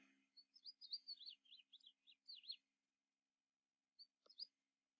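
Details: A House Finch, a common backyard bird, sings a quick, jumbled warble of high slurred notes for about two and a half seconds, then gives a few short chirps after a pause.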